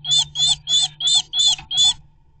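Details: Two blue tits fighting a great tit to defend their nest site: six harsh, buzzy, chattering bursts, each about a quarter second long, follow in a steady row before falling silent, over a faint low hum.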